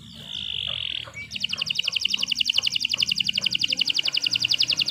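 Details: Canary holds a pure whistled tone, then launches into a long, fast, metallic rattling trill repeated evenly, over a faint low hum.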